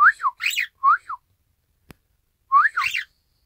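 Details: Isabel pearl cockatiel mimicking its owner's whistled 'ppoiyo' call, 1 December 2018: a run of arched whistles, a brief click, then a final double whistle after a pause.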